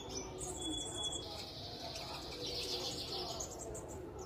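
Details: Caged sunbird, bought two weeks earlier and only recently started singing, kept in strong sun; thin, high-pitched twittering runs continuously, opening with a brief steady whistled tone, over a low background hum.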